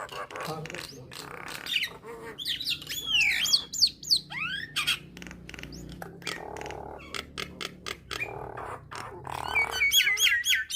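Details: Nias hill myna song played to provoke starlings into singing: a busy jumble of harsh squawks, clicking bursts and bright high whistled glides, including quick wavering whistles near the end, with short pauses between phrases.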